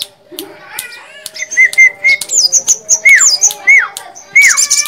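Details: Olive-backed sunbird (sogon) singing a varied phrase of clear whistled notes, several sliding sharply downward, mixed with high thin squeaks and quick chips, loud and close.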